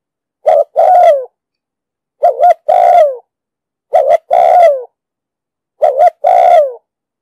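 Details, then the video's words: Cooing spotted dove from a 2020 trapping lure recording, with a 'đồng sấm' booming voice and the 'thúc gù' style: four even phrases of a brief doubled note and a drawn-out descending coo, spaced roughly every 1.7 seconds, with nothing else audible. "Tiếng chim cu gáy giọng đồng sấm,thúc gù bài bản"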